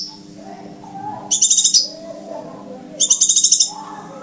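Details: Scarlet minivet calls from a recording used by bird trappers to lure the birds: two bursts of rapid, high, buzzy pulsed notes, about eight pulses each, separated by a pause over a faint low hum.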